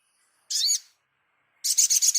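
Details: Crimson sunbird (sogon) on a master recording for training cage birds: a short burst of high, sharp chirps, a pause, then a quick run of five rapid, buzzy high notes.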